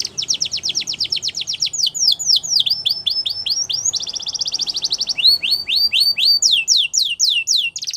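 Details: Belgian canary champion song used for training young canaries: rapid trills of high rising and falling notes, shifting between tours of fast buzzy rolls and slower swooping downslurred whistles.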